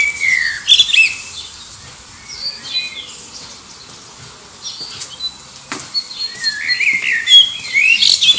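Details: Common blackbird singing near Liverpool Airport under its flight path, competing with distant birds to find a mate: fluted, warbling phrases that rise and fall, each ending in high twittering notes, with quieter gaps and faint distant birdsong between.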